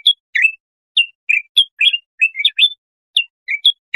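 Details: Singing bulbul, a recording for teaching young goldfinches or hybrids. Separate short whistles, some slurred up or down, are spaced irregularly with brief silences between them.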